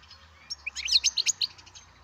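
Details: Baby European goldfinch from captive breeding uttering a short rapid series of about eight high, sharp chirps, with faint low hum underneath.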